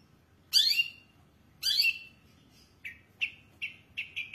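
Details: Long-tailed shrike in full vigorous song, praised for a rich repertoire of fill-in phrases: two loud, harsh buzzy bursts followed by a series of short sharp chips repeated roughly once a second, with faint low hum behind.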